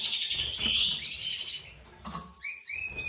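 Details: Breeding pair of European goldfinches, a white-throated mutation male with a classic female: rapid twittering and tinkling high notes, a dense warble for about two seconds, then a few clear rising whistled phrases after a short pause.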